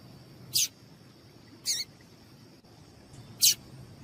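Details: Three separate, piercing high chips about a second apart from a female double-collared seedeater, calling so the male will start singing; faint hum beneath.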